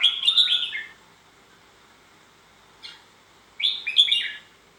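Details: Red-whiskered bulbul singing two bright, warbled phrases of quick up-and-down whistled notes, separated by a pause of nearly three seconds with a short faint note between them.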